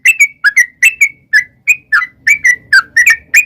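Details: Sooty-headed bulbul in long 'ropel' song used to lure wild bulbuls into replying. Paired and single liquid chirps come in quick succession, each note bending up or down, with a brief pause mid-phrase.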